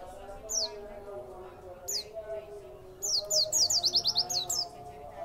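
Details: Caged white-eye singing after being given extra food: a few scattered high, sharply falling chirps, then a fast run of bright descending notes near the end, over a steady low background hum.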